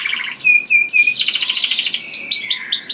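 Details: Canary song, loud and sweet, for luring other canaries: a few clipped high notes, then a dense buzzy trill, followed by looping whistled phrases.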